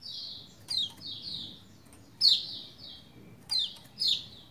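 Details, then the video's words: A Lombok white-eye in full song gives thin, high, sweet downward-sliding notes in quick bursts of two or three every second or so, with sharper chips, recorded to stimulate other white-eyes to sing; 6 February 2021. "Merangsang Pleci Lombok Gacor Bikin yang Lain Bunyi"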